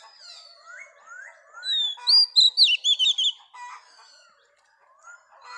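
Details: Wild-caught female Oriental magpie-robin in song meant to excite males: soft rising whistles build into a loud, fast sequence of high warbled notes, then fade back to faint chirping.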